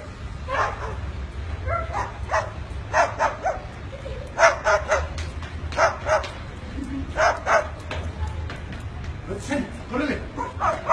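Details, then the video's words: A pet bird barks like a dog in short, harsh bursts in uneven clusters, roughly one every second or two, with people talking in the background. "El pajaro que ladra"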